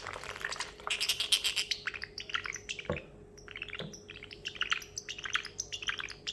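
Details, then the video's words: Pet parrotlet indoors, excitedly imitating sounds after a treat of almonds: continuous busy high chirping and crackly ticking, loudest early, thinning to irregular squeaks and clicks with a soft low thump or two. "the parrotlet making water sounds"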